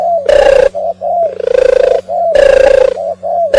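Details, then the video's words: Oriental turtle dove coos: coarse, buzzing notes alternating with shorter clear falling notes in quick succession, about three loud coos in under four seconds, over a steady hum. "صوت القمري المهاجر - الترغل"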